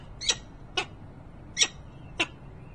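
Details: Peregrine falcon at a nest site in Harrisburg, Pennsylvania, on 28 November 2020 around 13:56; four sharp, harsh, high-pitched calls spaced roughly half a second apart, standing out clearly over a quiet background.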